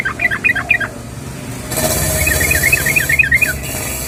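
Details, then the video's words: Calling female yellow-vented bulbul, summoning the male: a short set of bubbly up-and-down notes, a pause, then a steady rolling string of quick chirps under a burst of hissing background noise. "SUARA BURUNG TRUCUKAN BETINA MEMANGGIL JANTAN"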